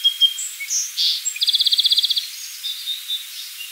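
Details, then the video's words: A song sparrow sings a short whistled note and a buzzy burst, then a fast, regular trill of around a dozen pulses, ending with softer, lower twittering notes. "SONG SPARROW singing"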